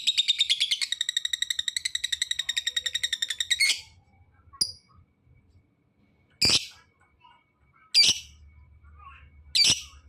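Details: A fighter lovebird, used to rouse lazy lovebirds into singing. A fast, steady, high rattling trill lasts nearly four seconds, followed by isolated loud harsh squawks about every one and a half seconds.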